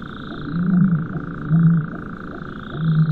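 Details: Distant Common Ostrich booming: deep, dull hums repeated about every second, with the steady churring song of a nightjar-like bird behind; the boom is a rarely recorded voice.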